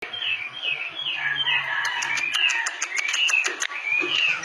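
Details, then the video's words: Clamorous reed warbler singing vigorously: warbled, sliding phrases mixed with rapid clicking notes repeated about once a second, loud and continuous over a faint low hum. "burung kerak basi gacor super istimewa"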